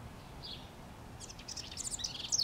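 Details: A house wren sings from a treetop in NW Regina, Saskatchewan, Canada, on May 25, 2015: one thin opening note, then a rapid, jumbled cascade of chattering trills growing louder toward the end, over a soft low hum.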